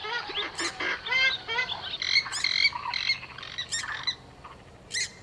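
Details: Purple swamphen sound used to lure birds for hunting: harsh, jumbled squawks and cackling nasal notes in an uneven burst, thinning out to a last squawk.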